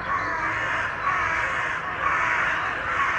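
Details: Carrion crows meeting in a big tree in Children's Wood, Hull, displaying with fanned tails; loud, raspy caws about once per second, each a broad harsh burst, over continuous background noise.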